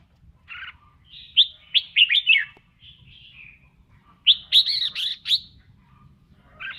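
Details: Red-whiskered bulbul singing and dancing during voice training; bright whistled phrases of quick rising-falling notes in two bursts, around 1.4 and 4.3 seconds, with softer warbling between and a quiet background.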